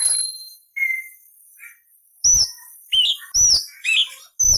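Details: Cucak cungkok singing as a training model for other songbirds, with coarse rasping variations: high thin whistles and a lower whistled note, then a run of sharp clipped upward-flicking whistles.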